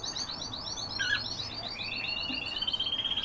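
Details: European bee-eater giving rolling, trilled purring calls in a rapid series, several overlapping trills sliding slightly downward, with faint background hiss.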